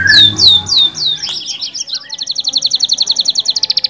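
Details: Canary song meant to stimulate other canaries to sing: loud descending whistled notes, then a buzzy mixed phrase, building into a long fast trill of repeated high notes that speeds up toward the end.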